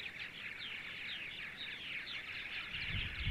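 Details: Purple martins on a sunny Sunday morning, central Ohio; rapid, overlapping gurgled chirps form an unbroken chatter, with a brief low bump at the end.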